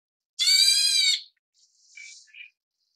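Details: Taiwan's Black Bulbul chicks begging while fed: one loud harsh buzzy rasp under a second long, then quieter squeaky chirps trailing off.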